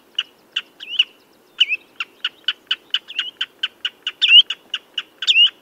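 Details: Quick succession of piercing redshank notes after a brief opening pause, about four per second, with louder swooping whistles bursting in toward the end. The background is quiet.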